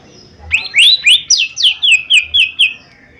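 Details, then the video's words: Lively mini leafbird song used as a quick-response lure: a rapid string of about eight clear whistled notes, each dropping slightly in pitch, delivered about four per second. "Cucak Ijo Mini Gacor 💯 Pancingan Paling Cepat Bunyi/Respon 💯Ampuh"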